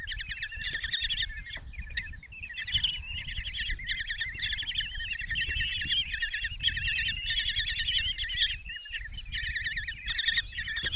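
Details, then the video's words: Nest-box common kestrel chicks in Tiszalök, Hungary, begging while the mother feeds them a mouse on a June 2024 morning; several young give overlapping quavering, trilled whines almost without pause, with soft low shuffling. "Common Kestrels | Mom brings mouse in breakfast for five babies"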